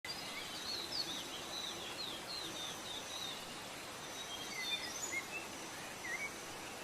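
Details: Blue-crowned hanging parrot, known in Indonesia as serindit: thin, high chirps and short sweeping notes scattered through about seven seconds over a steady background hiss, with a few sharper rising tweets near the end.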